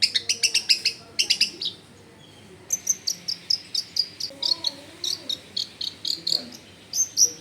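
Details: Long-tailed shrike in energetic song, used as a lure to prompt other shrikes to sing: rapid bursts of short high chirps in quick series, brief pause, then steady repeated sharp notes with faint low background noise.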